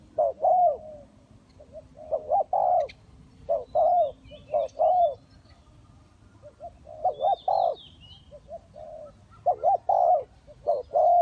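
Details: Spotted dove decoy at a ground trap, calling in irregular bursts of throaty, wobbling coos separated by short pauses. Softer coos and sharp high chirps of small birds are heard in between.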